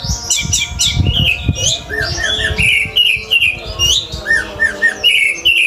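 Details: Orange-headed thrush song meant for training pet birds: varied whistled and squeaky phrases, some short repeated downslurred notes, with low background thumps and room noise.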